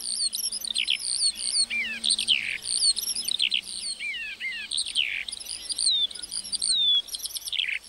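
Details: Meadow lark song: a dense, unbroken flow of high twitters, descending slurred whistles and quick trills, varied and hurried throughout.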